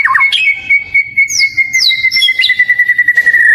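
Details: Oriental magpie-robin in a cage singing a long, steady, pure whistled note held for about three seconds, preceded by quick twittering and overlaid by brief high sliding notes, faint background noise.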